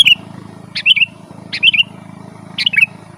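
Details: Sooty-headed bulbul singing in the 'gacor' style meant to draw wild birds: four quick bursts of liquid, warbling notes, each rising then dipping, spaced under a second apart above a constant low drone.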